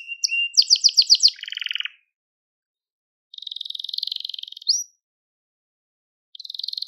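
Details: A crested Gloster canary gives a quick rattling trill and lower buzzy phrase, falls silent, then delivers a soft high rolling trill ending in an upward whistle, another pause and a further trill. Recorded for tutoring young canaries.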